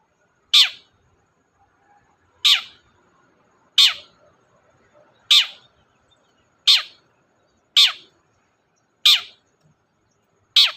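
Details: Chatty long-tailed shrike used as a lure to make reluctant shrikes sing: a series of sharp, rasping, downward-sweeping notes spaced one to two seconds apart against a quiet background.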